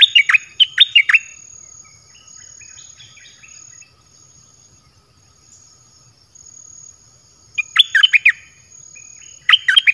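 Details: Red-whiskered bulbul, a cage bird, singing a varied dok taeng song meant to attract wild bulbuls. Brisk whistled phrases open and close the passage, with softer chattering notes in the gap and a constant high-pitched hum.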